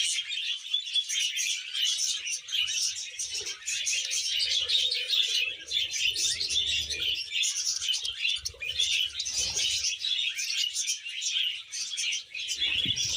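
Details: Happy pet budgerigar sounds, a busy stream of high, scratchy warbles, clicks and chirps running without pause, with brief low rustles and a soft lower-pitched note near the end.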